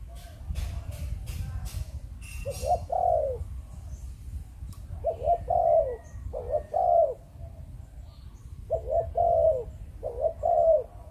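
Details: Malaysian-type spotted dove from a Vietnamese breeding hobby, cooing in 'chụp chụp ô' style after a run of sharp clicks: three low, soft phrases, each a quick double note and a longer falling coo, spaced a few seconds apart.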